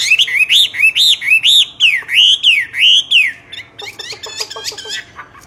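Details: Common hill myna singing loudly: a run of loud, clear whistled notes that arch up and down, repeated rapidly for about four seconds, then a quicker series of harsher, buzzier notes.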